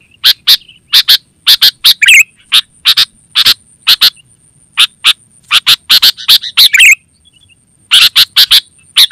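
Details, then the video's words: Sooty-headed bulbul chatter serving as a forest lure and training model: dense runs of short sharp chips, frequently doubled, with occasional liquid burbling phrases and a brief lull near the end, over a steady thin whine. "Suara Burung KUTILANG GACOR Terbaik Untuk Panggilan dan Masteran"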